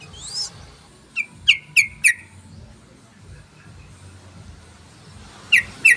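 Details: Lure call of the yellow-vented bulbul, played to draw in other birds: a brief rising whistle, then four sharp staccato chatter notes in quick succession, a pause, and two more harsh notes at the end.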